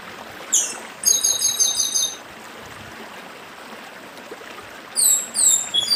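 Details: Dedim-style song of a chestnut-bellied seed finch from northeastern Brazil: a clear high whistle and a quick series of repeated bright notes, a long pause filled with a steady stream murmur, then more clipped, falling whistled notes.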